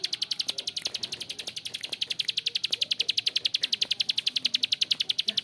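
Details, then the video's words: Bar-winged prinia (prenjak klik, also called ciblek sawah) giving long, harsh ngebren calling. A steady, unbroken train of rapid, dry, evenly spaced clicks runs through the whole stretch, with faint low background noise. "PRENJAK KLIK GACOR ‼️Ngebren Panjang suara kasar"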